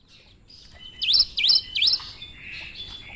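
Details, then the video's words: Cinereous tit, a chatty bird with a strange-sounding song, gives three loud, sharp V-shaped whistled notes in quick succession, each dipping then rising, with softer twittering of other birds before and after. "Gelatik batu gacor suara aneh"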